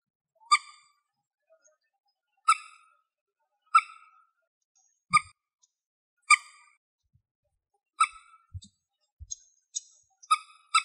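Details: A juvenile common moorhen eating grass in Greece gives short, sharp, nasal notes, singly or in quick pairs, every one to two seconds, with a few soft low thumps in the background.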